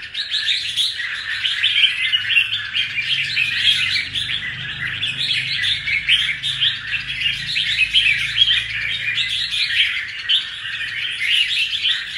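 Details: Twelve seconds of sustained bubbly chatter from a caged red-whiskered bulbul fresh from its moult, a dense flow of overlapping whistled chirps with a faint low hum beneath.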